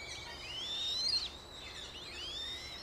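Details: A Eurasian Coot family with five chicks in Beverwijk, the Netherlands; thin, high, piping squeaks sliding up and down, several overlapping in a steady stream with no clear pause.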